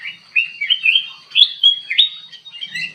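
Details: Golden bulbul (kutilang emas) singing in an aviary: a run of warbled, slurred whistles wavering up and down, with short rising and falling notes in quick succession.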